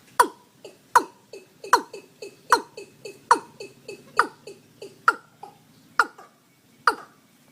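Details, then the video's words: Watercock calling with sharp, knocking notes repeated about once every second, loud strokes alternating with softer in-between knocks, fairly quiet background. "Tiếng Chim Cúm Núm Gà Đồng"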